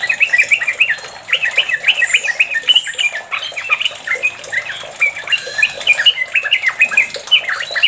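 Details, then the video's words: Long 'ropel' song of a sooty-headed bulbul, used to coax other bulbuls into singing: a fast, unbroken chatter of bubbly, warbling notes tumbling over one another for eight seconds, lively and evenly loud. "Pancingan Trucuk ropel panjang"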